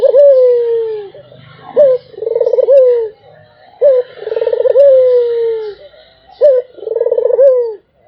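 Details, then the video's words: Barbary dove giving unbroken cooing phrases: a long falling note, a short sharp note and a rapid rolling coo, cycling about every two and a half seconds. A steady high-pitched hiss runs underneath. "SUARA ANGGUNGAN BURUNG PUTER !! GACOR TIADA HENTI ll SUARA BURUNG PUTER MERDU"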